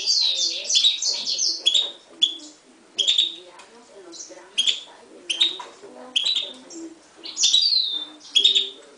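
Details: Song of a 2011 mule, a Himalayan goldfinch crossed with a timbrado canary: a rapid twittering opening, then spaced sharp chirps and slurred whistles over a soft low background hum.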